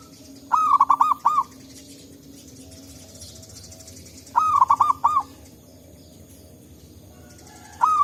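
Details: Wild local zebra dove in forest, a lure call: short phrases of four or five rapid, rolling cooing notes, repeated about every four seconds over quiet background, with another phrase starting at the end.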